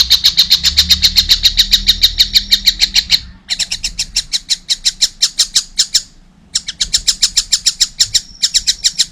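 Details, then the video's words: Juvenile collared kingfisher chattering with loud, rapid, harsh notes in long runs broken by short pauses; a low rumble is heard early on. "wow masih kecil udah gacor , anakan burung tengkek buto"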